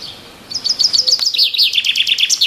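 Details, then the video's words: In the trees, a bird delivers a lively stream of high chirps, steady at first, then shifting into lower, rolling downslurred notes that continue to the end. "Birds Chirping in the trees"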